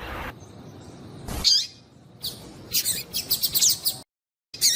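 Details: Female Double-collared Seedeater call for warming up a male; a single high chirp, then a rapid string of sharp buzzy notes, a brief silence and another chirp.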